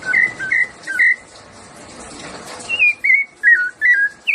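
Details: Rufous-bellied thrush, 'piedade senhor' type song: a few mellow whistled notes, a pause filled with low murmuring noise, then another string of short, bending whistles.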